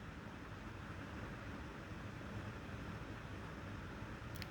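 Steady low rumbling noise like a vehicle or fan, with a brief click near the end and no animal voice.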